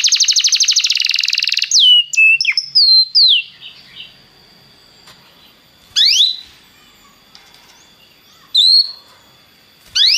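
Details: Belgian canary opening with a fast buzzy trill, then giving isolated whistled slurs and upward sweeps separated by pauses of a few seconds.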